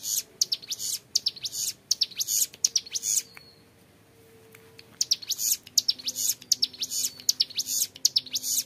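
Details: Young hill prinia in clear, long ngebren song: fast bursts of high, sharp chirping, a quiet gap of about two seconds, then the shrill rattle resumes.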